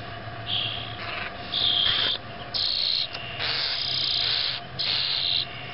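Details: 1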